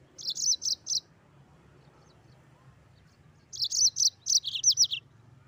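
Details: Mozambique canary singing actively: two quick bursts of four to six high, bright chirping notes, the second burst longer with rolling, slurred notes, separated by a quiet gap with a low background hum.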